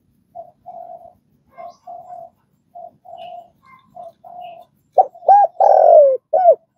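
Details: Spotted dove calling, trained to coo: a run of soft low paired murmured notes repeated steadily, ending in a loud phrase of short coos and one long downward-sliding coo.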